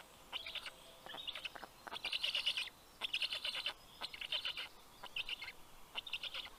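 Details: Black stork chicks at a nest in Karula National Park, southern Estonia, greeting an adult male bringing fish at 11:00 on 11 June 2023; repeated harsh, hissing-wheezy bursts in quick clusters, several chicks calling together.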